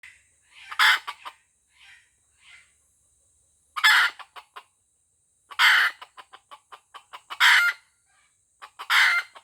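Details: White-legged F1 junglefowl decoy bird from Aceh, giving short, harsh, broadband crowing bursts about every one and a half to two seconds, each followed by a rapid string of clipped clucks.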